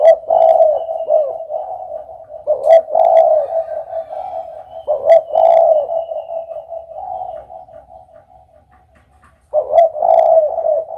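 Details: Spotted dove giving low, husky cooing phrases at roughly two-second gaps, each a short rough burst then a drawn-out note. A faint continuous coo hum runs beneath, dropping away briefly before a final phrase.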